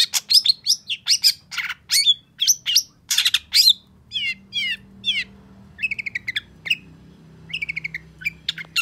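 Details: Long-tailed shrike singing excitedly in response to a rival; loud harsh chatter gives way to descending slurred notes, then soft quick trilled series, with a steady low hum behind.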